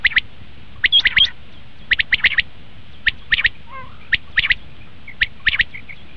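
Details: Quail call used by hunters to draw in common quail: crisp, high, quick-fire notes in short clusters of two to four, spaced by gaps of about a second.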